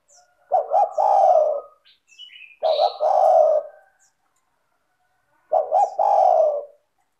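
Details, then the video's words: Cooing of a spotted dove played to lure other doves into singing: three phrases, each a quick double coo leading into a long, hoarse, low note, separated by pauses. "PANCINGAN suara tekukur gacor rapat merdu dan jernih"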